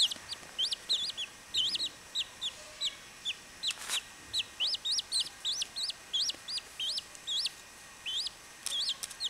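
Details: High peeping of young chachalacas, upslurred notes coming in quick pairs and runs, broken by a brief click near four seconds and short pauses between bursts.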